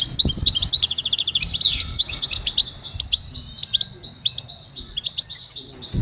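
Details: Goldfinch singing for training: fast twittering trill and a sweeping buzzy slur at first, then spaced high chirps and short tinkling notes, faint low thuds.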